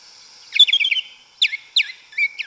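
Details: Yellow-legged thrush (sabiá una, sabiá preta) singing in the forest in Brazil: a varied song of quick trilled phrases and clear whistled notes, with separate bursts about every half second and a steady high background hiss.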